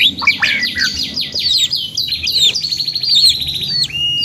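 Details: Canary giving long, vigorous gacor singing: rapid buzzy trills and sweeping high whistles, with short down-slurred notes early on and a long even rattling trill ending in a sharp upward note.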